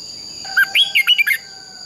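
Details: Red-whiskered bulbul in fighting song for training: one short phrase of about six bright, bouncing whistled notes, with steady thin high tones running behind.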